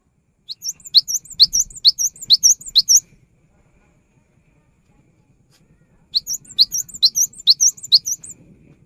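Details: Cinereous tit singing vigorously (gacor), used to coax silent tits into singing: two bursts of about six quick two-part phrases, each a rising whistle flicking up to a higher note, separated by a three-second pause.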